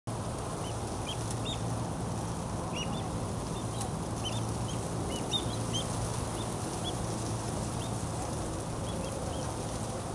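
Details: Avocets feeding at low tide at Palo Alto Baylands Preserve give short, high, clear piping calls, with several birds overlapping at an irregular pace over a steady low rumble of wind and water.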